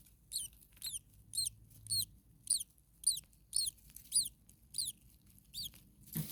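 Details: Common starling baby birds in a hot attic nest on day two at nest two, adult nearby: high, squeaky, downward-bending chirps repeated steadily about twice a second, eleven bursts, with a soft low rumble beneath.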